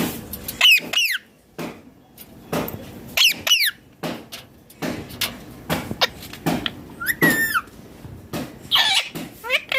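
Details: Indian ringneck parrot giving natural calls: loud, harsh screeches in quick pairs of descending, ringing notes, repeated several times over ten seconds with short quiet gaps and faint background clatter.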